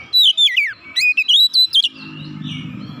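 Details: Vigorous song from an oriental magpie-robin, beak open, meant to stir other magpie-robins and show its repertoire. Loud, rapid whistled notes slur down and up for about two seconds, then give way to a low hum.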